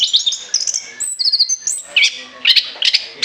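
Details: Orange-headed thrush in loud, continuous chattering song, intended for use as a lure: high, varied whistled phrases, quick trills and sharp chips, with brief pauses between bursts.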